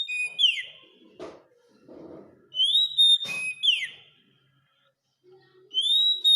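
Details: Oriental magpie-robin (kacer) masteran song for training caged birds: repeated bright whistled phrases, each with a rising note and a falling slur, broken by faint clicks and low rustling between phrases.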